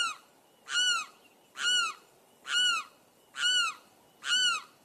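A limpkin gives five loud, wailing, harsh-edged cries, each about half a second long and repeated roughly every second, over a quiet background.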